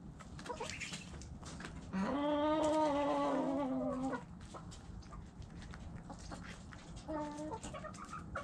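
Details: Rooster and hens: a loud, sustained, harmonic crow held for about two seconds mid-clip, with short clucks before and a brief clucking call near the end over constant farmyard rumble.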